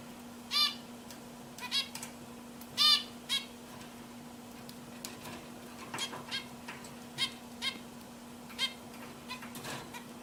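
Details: Caged zebra finches making clear, nasal, squeaky beeps, singly or in quick pairs, every second or so, with a continuous low hum behind.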